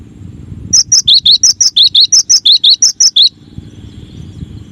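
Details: Cinereous tit, masteran song from a set of nine variations: a rapid steady series of about fourteen clear whistled notes alternating between a higher and a slightly lower pitch, lasting under three seconds.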